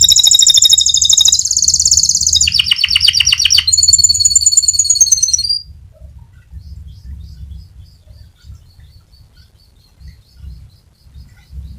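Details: Fighter-type canary delivering a rolling song meant as a master for tutoring other canaries: three loud, high, fast-pulsed trilled phrases for about five seconds, then it stops, leaving only faint scattered ticks over a low background hum.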